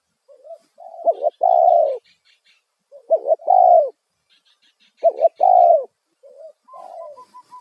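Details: Loud lure call of a spotted dove used to draw wild doves: phrases of a short soft coo, a hooked double note and a long drawn-out falling coo, repeated every two seconds or so, with faint chirps from other birds.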